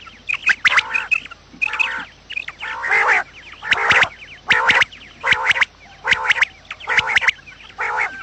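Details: Quail calls for trapping lures: about a dozen rough, nasal harmonic calls repeated at a fairly even pace, a little over one per second, with faint chirps between them.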